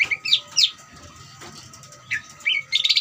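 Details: Greater green leafbird in ngeriwik style, used to provoke other leafbirds into agitation and frequent singing; a few scattered high, sweeping chirps separated by pauses, over a steady faint electronic tone and low hum.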